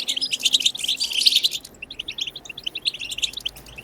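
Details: Goldfinch wild twittering for stimulating goldfinch singing. A loud rush of bright chirps and trills gives way after about two seconds to softer, sparser, clipped notes.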